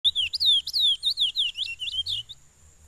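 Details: Chestnut-bellied seed finch (curió) singing: a loud run of clear, slurred whistled notes sweeping up and down, quickly repeated for about two seconds, then falling quiet.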